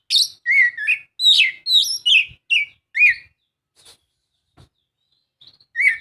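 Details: Oriental magpie-robin singing, used to prompt a quiet caged bird to sing: loud varied phrases of whistled slurred notes and sharp chirps in a quick burst, a pause with faint clicks, then one more whistled phrase.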